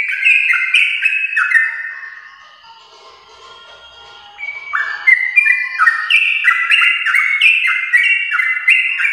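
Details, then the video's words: Champion-line yellow-vented bulbul in prolonged 'gacor ropel' song for prompting home-kept birds: quick whistled note runs, then a softer lull of faint warbling about two seconds long, before the rapid stepped phrases resume strongly. "Trucukan gacor ropel panjang TRAH JUARA untuk pancingan trucuk rumahan"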